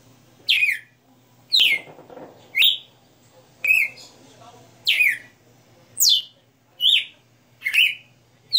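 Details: Red-cowled cardinal, a kept songbird, singing live: a series of loud falling and rising whistles about one per second, with a short patch of soft chatter or murmur between early notes.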